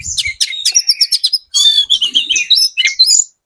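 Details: Sunda robin of the spotted 'trotol' form delivering an energetic lure song for provoking other birds to respond: fast, regular runs of high chirps, a brief pause, then a second run of twittered and buzzy notes.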